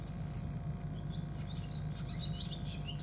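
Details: Overwintering male barn swallow in a cold region inviting a female to the nest in February; faint quick twittering chirps and short warbled notes over a loud steady low rumble.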